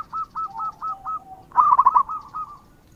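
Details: Zebra dove of the local type singing actively. A run of clipped, evenly spaced cooing notes leads into a louder, trilled cluster, which trails off into softer repeated notes.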